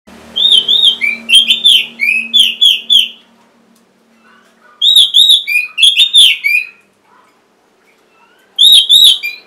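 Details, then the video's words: Orange-headed thrush song used as a prompt to get sluggish or quiet caged birds singing: bursts of rapid, sharp whistled notes around a high pitch, delivered in runs of about two seconds with short pauses between. "C0COK Untuk Pancingan Burung ANIS MERAH Bahan Macet Ataupun Malas Bunyi"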